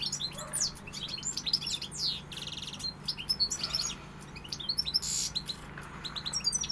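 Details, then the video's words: European goldfinch: fast, twittering song of tinkling chirps, buzzy trills and sharp high notes tumbling without pause, with a low steady hum in the background. "Jilguero pegada"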